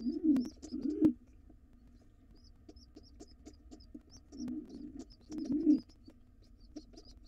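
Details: Pigeon nestlings in a wild nest box beg as their father returns; faint high peeps run steadily while a few loud, low, grunting bursts come in pairs.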